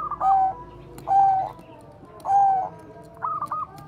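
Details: Bangkok zebra dove singing a bekur 'koar-koar' song, used as a lure for other doves: three level, mellow coos about a second apart, ending in a brief rolling trill, over a low background hum.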